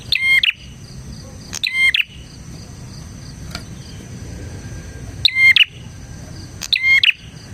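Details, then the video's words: Bar-winged prinia calling vigorously, meant as a lure and tutor recording: paired loud chirp bursts early and late, a brief click in between, and a continuous high-pitched insect-like drone throughout. "suara burung PRENJAK GACOR isian 💯% cocok untuk MASTERAN PRENJAK dan Pancingan prenjak bahan"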